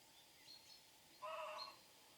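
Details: Single harsh, braying call from a great crested grebe on the Nemunas in Lithuania, a loud grating burst lasting about half a second, with faint thin whistles before it.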